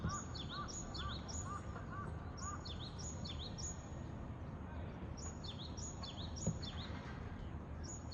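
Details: A Japanese tit in Japan repeats high, thin two-note phrases, each sliding downward, over a steady low rumble of background noise.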